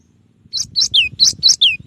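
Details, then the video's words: Cinereous tit singing one of its song variations, clean training recording: six rapid piercing notes, alternating a short high chip with a falling whistled slur, about four notes per second "suara burung gelatik batu dengan variasi tembakan banyak yang nyari"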